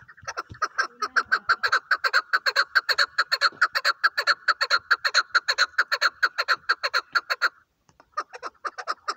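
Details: Hunting chukar partridge giving a long, steady run of loud clucking chuk notes, roughly two per second, for over seven seconds, pausing briefly before the calling resumes.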